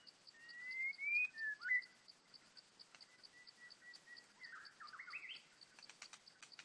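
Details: White-rumped shama in the wild, said to be an angry bird being trapped: short whistled upslurs and a drawn-out flat whistle, then a burst of rapid twittering notes, over a regular ticking insect background.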